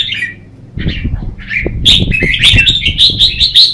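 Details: Red-whiskered bulbul singing competitively in the morning, a lure song for training birds to sing. A few scattered whistles and soft knocking thumps lead into a rapid run of loud, sharp, repeated whistled notes.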